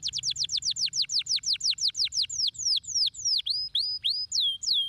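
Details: Canary stimulating song, meant to get lazy canaries singing. High, fast trill of repeated downward-sweeping notes, about four per second, that shifts midway into slower, looping whistled notes. Faint low hum underneath.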